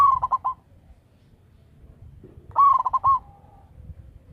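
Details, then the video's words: Local zebra dove with a powerful voice, used to lure others: the tail of one rolling coo, then a full phrase of a drawn-out note and four quick pulses ending in a soft trailing tone. "Perkutut lokal gacor suara besar - BIANG PEMIKAT"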